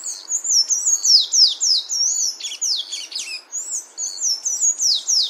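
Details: Sayaca tanager song in nature: a continuous stream of shrill, squeaky, sliding notes delivered rapidly, nearly four a second. Swoops and short downward slurs run throughout, over a quiet background.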